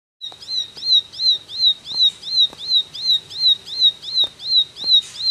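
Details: Ashy tailorbird in vigorous 'tembakan' style song: a fast, steady string of sharp, high, rising-then-falling chirps, about three per second, each with a faint higher overtone; soft clicks sound in the background.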